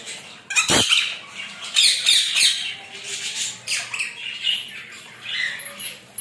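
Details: Rainbow lorikeet taking a shower and enjoying the moment, giving harsh, broadband squawks in irregular bursts of about four per second, with splashing-like noise between calls.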